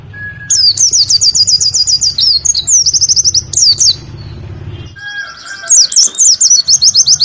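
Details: High, fast warbling white-eye 'nembak' song, a tutor recording for caged birds to be played in the morning dew: long runs of rapid repeated notes broken by brief pauses, with low rumbling hum underneath.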